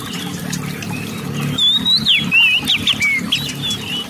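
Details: Kacer song used to stir other magpie-robins to sing: after a stretch of low hum, a string of clear, twisting whistles and sharp downslurred notes starts halfway through and runs to the end.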